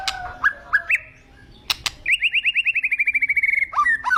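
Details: White-rumped shama, agitated, after a few scattered slurred notes and clicks, a rapid even train of about twenty upslurred whistles, then lower falling doubled notes.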